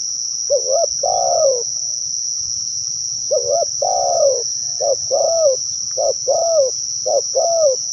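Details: Spotted dove calling to lure other doves: two slow two-part coos followed by a quicker run of shorter falling coos, with a loud constant cricket-like buzz high above.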